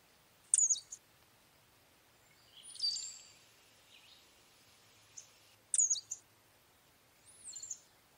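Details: Brown-headed cowbird singing: piercing high squeaky notes that drop sharply, a soft low bubbling gurgle, a repeat of the squeaky burst, then a thin whistle that slides up and falls. Quiet background.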